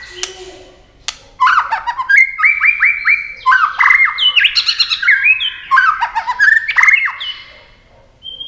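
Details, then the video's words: White-rumped shama singing fast in a song contest, wings flashing and tail moving constantly; a rapid, continuous string of varied whistled phrases with stepping, repeated notes and buzzy accents, after a few opening clicks. "chòe lửa hót đấu tốc độ.nhá cánh chơi đuôi liên tục"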